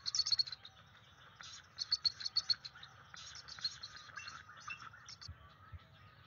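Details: Bald eagle at its nest on a field camera, 15 May 2023, giving warning calls at an intruding adult eagle perched below: bursts of sharp, high chittering notes in quick staccato series, with a faint low background hum.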